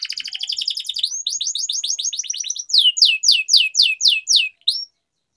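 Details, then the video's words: Canary in full long-rolling song, used to train and stimulate canaries that have stopped singing: a rapid buzzy high trill for over two seconds, then loud sweeping descending whistles repeated about twice a second, ending in silence. "Canary Singing Training, Kenari Gacor Ngerol Panjang, Pancingan Kenari Macet, Masteran Kenari Paud"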